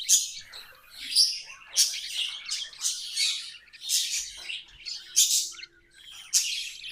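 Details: Pet budgerigars singing: a continuous, bright chattering warble of high, buzzy chirps, with louder bursts roughly every second and no other clear sounds.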